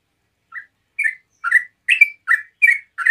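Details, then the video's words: Yellow-vented bulbul starting its rapid 'ngeropel' song, used to draw replies from other bulbuls. A lone soft chirp is followed by a quickening string of louder bubbly notes, alternately higher and lower. "TRUCUK NGEROPEL SANTAI BUAT PANCINGAN TRUCUKAN LAIN LANGSUNG NYAUT"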